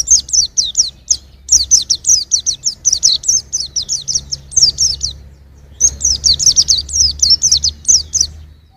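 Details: Young white-eye singing nearly nonstop, a dense stream of very high, sharp chirps in quick clusters with one brief gap, over a low background rumble.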